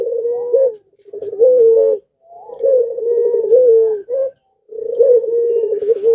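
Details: In breeding condition, a pelung Barbary dove coos and prompts neighbouring doves to answer; a sequence of sustained, steady coos interspersed with short, upturned catches and brief silences.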